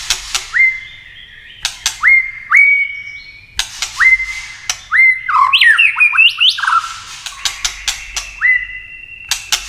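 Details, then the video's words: Tail-flicking White-rumped shama clicking and singing to rouse contest birds: upswept whistled notes repeated, crisp clicks between them, and a fast tangled burst of varied whistled phrases midway. "Chòe lửa tạch đập đuôi kích thích lửa lên lửa rất nhanh kích chim hót đấu hiệu quả"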